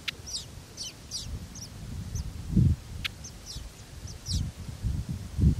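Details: Feeding Sudan golden sparrows call with brief, high, slurred chirps spaced irregularly through the recording, set against soft low thuds and rustling.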